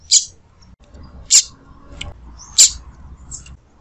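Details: A female double-collared seedeater, used to stimulate a male, gives sharp, high, thin chirps, three clear notes about one and a quarter seconds apart, with a faint fourth over low background hum.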